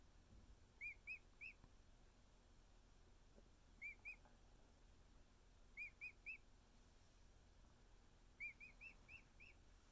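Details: Young emu chick, just over a week old and male, being cuddled by keepers; quieter clusters of two to four high whistled peeps, sometimes stepping upward in pitch, separated by a few seconds of faint background hiss.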